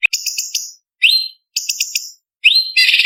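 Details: Contest training song of a cucak cungkok leafbird with varied fill. Rapid stuttering high notes alternate with bright upslurred whistles, ending in a dense rasping chatter, each phrase cleanly separated.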